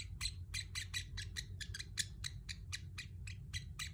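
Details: Pacific parrot kept as a pet, chirping in a brisk series of short, bright notes, several per second, over a low continuous hum.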